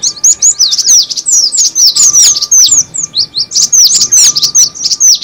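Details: Cinereous tit calls used as a lure: rhythmic bursts of bright, high, downslurred notes, roughly pulsing every half second, over a faint steady hum.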